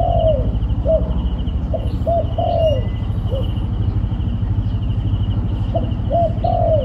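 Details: Wild turtle dove near a trapping site, giving low hollow coos in short groups, a longer slurred drawn-out note between quicker clipped ones, over a loud steady engine-like rumble and a thin continuous high insect buzz.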